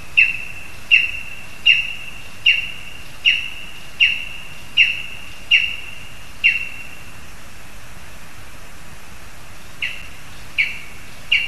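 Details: Lesser spotted eagle at a spruce in Zemgale, Latvia, frog delivered to the young; a run of about nine high, ringing, down-slurred yelps every 0.7 seconds, a pause of a few seconds, then softer yelps resume.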